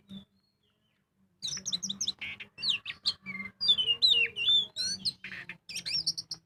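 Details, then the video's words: White-rumped shama-type lure song of a magpie-robin, kacer, in full ngobra style, used to make birds sing: after a silent first second, rich varied whistles, slurred notes and rapid chirps pour out continuously, with a faint low hum beneath. "Pancingan burung kacer gacor full ngobra"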